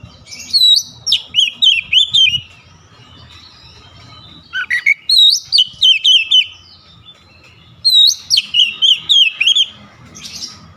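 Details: Oriental magpie-robin singing with beak wide open in a fiery burst: three bursts of loud, clear whistled notes with sharp rising and falling slurs, each burst a quick run of about six to eight phrases separated by short pauses.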